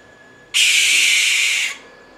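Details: A Brazilian American barn owl, locally called suindara or rasga-mortalha, gives a single harsh, steady, breathy shriek of about one second, then falls silent.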